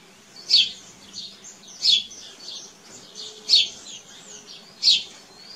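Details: Canary in nature giving sharp, high downward-sweeping chirps, four clear notes spaced roughly one and a half seconds apart, softer twittering between them.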